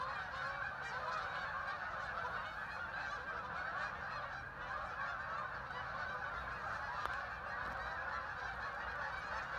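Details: A noisy mass of ducks, thousands of birds, arriving on the water of the Hockanum River, Vernon, Connecticut, heard from a walking trail; a continuous, thick chorus of harsh overlapping calls, with one sharp click near the end.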